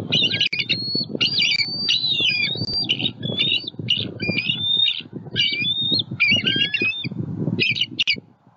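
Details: Very vocal adult bald eagles at a Southwest Florida nest warn a juvenile eagle flying over, guarding their eaglet; long sequence of piercing, sliding whistles and stuttering chatter, almost continuous, over steady low wind noise, recorded by a live nest camera.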